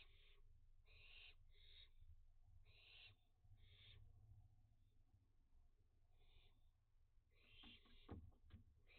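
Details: Young barn owls active as dusk settles in a June 2021 heatwave: faint, breathy hissing screeches in short groups, set against a steady low rumble.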